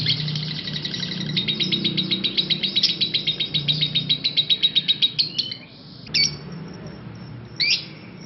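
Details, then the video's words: Parblue lovebird in long chatter, ngekek panjang: a fast pulsing trill of high notes that speeds and swells, then breaks off into a few separate harsh squeaks after a short pause. "Love bird parblue ngekek panjang"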